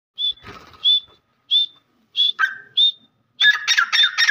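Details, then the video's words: Grey francolin (teetar) giving short, shrill, high notes about twice a second, ending in a loud, harsh, rapid burst of squealing notes. "Grey Francolin voice"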